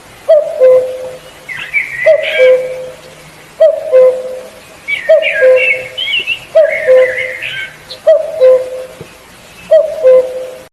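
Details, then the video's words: A cuckoo repeats its mellow, falling two-note 'cu-coo' about every one and a half seconds, seven times in all, while other birds chatter higher in the background. "The call of the cuckoo bird"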